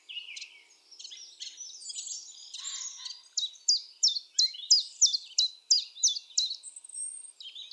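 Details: Common chiffchaff recorded at Topbjerg, Mønsted, on 5 April 2020; after a mixed chorus of other birds, a steady run of bright, clipped descending notes repeats about three times per second.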